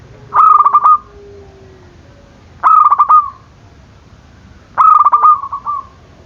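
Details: Zebra dove cooing meant to provoke rivals to answer; three evenly spaced phrases, each a fast stutter of notes running into a rolled, fading ending, spaced a little over two seconds apart, with a quiet low tone between.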